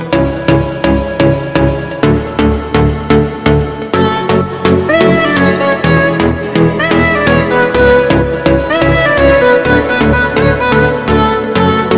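Steady rhythmic music with a regular beat and sustained melodic tones, with no animal sounds.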